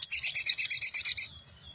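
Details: Sogon pastol singing in the morning as a lure for small birds: a rapid rattling trill of about twelve bright high notes lasting just over a second, then fading.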